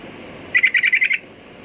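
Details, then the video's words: Sooty-headed bulbul giving a short, fast burst of about seven bright chirping notes in under a second, then falling quiet against low hiss. "Burung Trucukan Kicau Mania"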